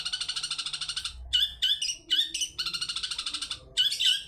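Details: Long-tailed shrike singing in the 'toet toet' style, a lure recording to provoke other birds into song: harsh, buzzy chattering notes in rapid even pulses, broken into bursts by short gaps.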